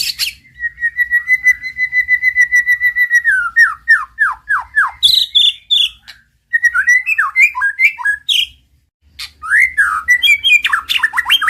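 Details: Male white-rumped shama master recording meant to excite a silent bird to sing: a long steady whistle, a run of descending slurred notes, then varied whistled phrases and scratchy chatter separated by brief silences.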